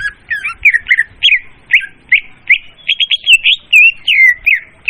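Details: Leafbird trapping lure with clear, loud voice: quick bouncy chain of slurred whistled chirps, about two or three per second, some rising, some falling, in quiet surroundings.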